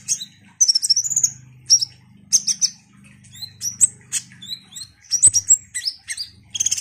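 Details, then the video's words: Ruby-cheeked sunbird, known locally as konin or kolibri ninja, singing actively: thin, very high chirps and short sweeping notes in rapid irregular bursts, with a faint low hum underneath. "Pancingan KONIN GACOR INI DIJAMIN bikin KOLIBRI NINJA lain EMOSI Rajin Bunyi"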